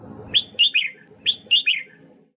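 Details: Red-whiskered bulbul in a training session to sing: two clear bursts of bright, warbled whistled notes, each of three quick phrases dropping in pitch, over a faint low hum.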